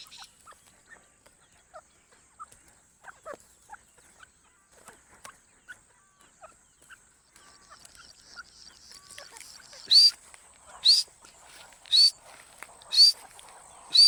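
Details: Partridge recording, known locally as teetar, used as a hunting lure: faint scattered chirps for the first ten seconds, then loud harsh bursts with a short rising whistle inside, repeated about once a second.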